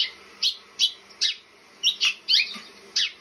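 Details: House finch calling: short, sharp chirps about every third to half second, roughly eight notes, each a quick bright chip with a downward slur, heard against a quiet background.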